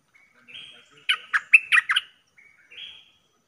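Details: Streak-eared bulbul lure call used to attract birds for trapping: a soft buzzy note, then a quick cluster of five loud, harsh chirps, followed by two more faint buzzy notes in a quiet setting.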